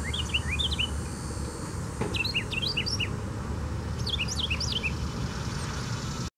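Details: Carolina wren at Tattnall Square Park on July 29, 2015, giving three quick bursts of bright, rolling, slurred notes about a second apart, over a steady low rumble of distant traffic.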